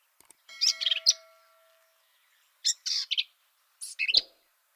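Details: Black-capped Vireo in Texas sings three quick bursts of scratchy, jumbled, high-pitched phrases spaced about a second or more apart, with each song different from the last.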